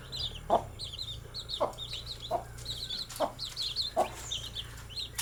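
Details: Young chicks peeping busily in a group: quick, thin, high chirps that slide downward, tumbling over one another, punctuated by soft thuds roughly every second.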